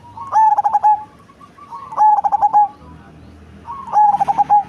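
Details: Zebra dove of the black cemani type, a big-bodied bird with a deep, bassy voice, giving soft rapid cooing phrases of about six pulsing notes ending in a held tone, three phrases roughly every two seconds.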